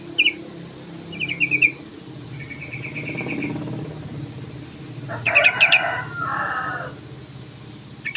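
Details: Yellow-vented bulbul challenging a rival with its call: quick chattering note runs and a thin trill, then a louder burst mixed with broadband rustling noise, over a low humming background.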